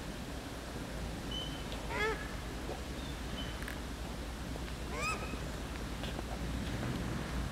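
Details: Paradise shelduck pair, male grazing on grass, giving two loud harsh calls about three seconds apart, each with stacked rising harmonics, alongside brief thin whistles and a constant low background hum.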